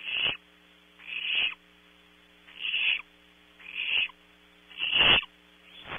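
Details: Barn owl owlets in a nest box at Audubon Starr Ranch, California, competing for prey delivered around 3 a.m. Rough, hissing bursts about half a second long, repeated roughly once per second, over a steady low electrical hum.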